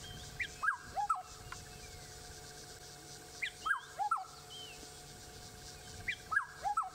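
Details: A black-headed oriole gives liquid, fluty whistled phrases of two or three dropping notes, repeated about every three seconds, over a steady low hum and faint distant birds. Recorded on a sunrise drive in South Africa on 28 October 2016.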